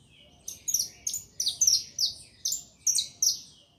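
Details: Saffron finch singing: a run of about eight bright, high chirping notes, each a quick downward-slurred burst, spaced roughly a third of a second apart over a quiet background.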